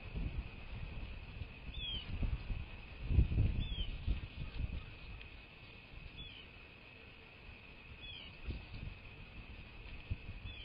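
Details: Bald eagles at their nest in southwest Florida, just after midnight on 14 November 2023: thin, high, downslurred chirps repeated about every two seconds, five in all, over a low rumbling of wind or rustling.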